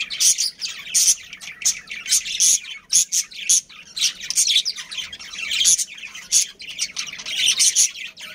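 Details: Captive budgies from a breeding family colony chirping busily: sharp high tweets and buzzy squeaks stacked together in rapid clusters, with barely any pause between bursts.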